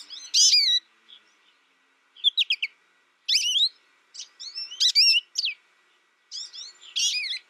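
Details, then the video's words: High, sweet twittering and warbled whistles from an American goldfinch, delivered in lively bursts with short gaps, some phrases sliding up and down in pitch. "American Goldfinch Sound"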